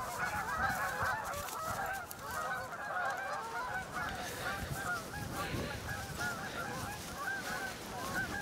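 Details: Thousands of Canada geese (Branta canadensis) along the Salmon River near Truro on a cold March 22, 2014, some flying overhead. The flock gives a dense, continuous chorus of overlapping nasal honks with no gaps, and a person briefly speaks nearby.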